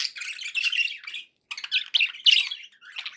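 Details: Budgerigar song in two bursts of squeaky, buzzy chattering warbles, separated by a brief silence near 1.3 seconds.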